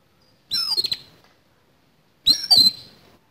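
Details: Harsh fighting song of an oriental magpie-robin: two clipped phrases of scratchy clicks and a bright, level whistle, about two seconds apart, in a quiet setting.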